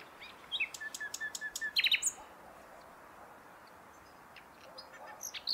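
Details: Song of the common nightingale: a row of crisp clicking notes speeding into a brief trill, followed by quiet with a few faint notes near the close.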